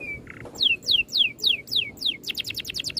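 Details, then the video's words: Oriental magpie-robin in a rolling masteran song: a short flat whistle and buzzy note, then six evenly spaced whistles dropping sharply in pitch, closing with a quick burst of rapid chattering notes. "MASTERAN BURUNG NGEROL RAPAT TEMBAKAN RAPI"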